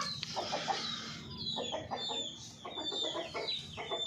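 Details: Golden Misri hens cluck in short, throaty bursts every half second or so, several birds overlapping, with a faint high whine running underneath.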